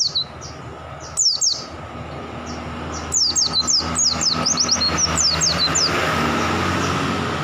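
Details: Oriental white-eye giving a fast run of high, thin, downslurred whistles over a steady low rumble of engine or traffic noise.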